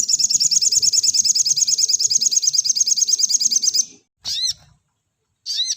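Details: 'Nembak rapat' sogon master, used to train caged birds. Nearly four seconds of dense, high, grating rattle at a steady rapid pace, then two isolated bright notes with rising harmonics.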